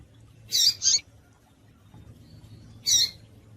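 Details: Female double-collared seedeater calls, used to stimulate males of the tui tui style: a doubled harsh chirp, a pause, then a single matching rasping note over a low hum.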